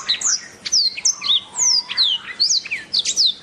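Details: Song of a black-throated canary, made of sharp high descending whistles and quick upslurred notes, spaced in short clusters with tiny pauses between phrases.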